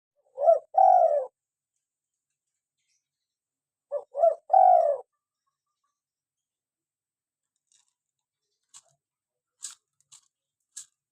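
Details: Local spotted dove in full voice, giving two hoarse, rolling coo phrases about three seconds apart, each a short stuttered note then a longer falling purr, followed by a few faint clicks.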